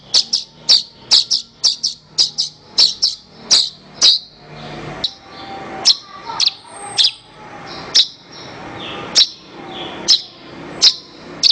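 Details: Horsfield's bush lark master song used to train birds: quick bursts of piercing high chirps, fast at first, then slowing to isolated sharp notes about once a second, with a soft background hiss.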